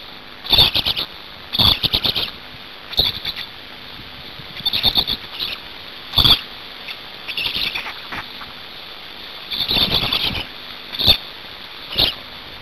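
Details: Hungarian Black storks during feeding at the nest, 5 May 2019, late afternoon at 17:02; loud clusters of high, buzzy, rapidly pulsed squeaks arrive in irregular bursts, separated by short pauses, over faint hiss.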